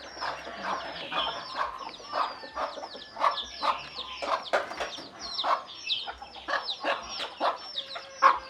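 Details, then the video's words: A mother hen clucks 'kuk kuk' in quick, uneven bursts to call her chicks to eat, the clucks blending with a busy layer of high chicks' peeping throughout. "เสียงแม่ไก่ดังกุกๆเรียกลุกมากินเหยือ/Tiếng gà mái"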